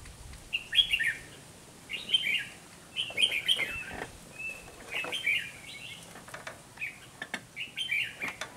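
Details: Red-whiskered bulbul decoy bird at a trapping site, singing a series of bright, slurred whistled phrases roughly every second, each a quick rising-falling warble, with faint clicks and rustling in the background.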